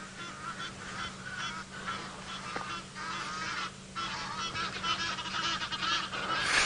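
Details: Flock of Egyptian geese (Alopochen aegyptiaca) flying over a safari vehicle at sunset, 4 August 2017, in the Sabi Sand, South Africa: loud, harsh honking flight calls in busy overlapping chatter over a low engine hum.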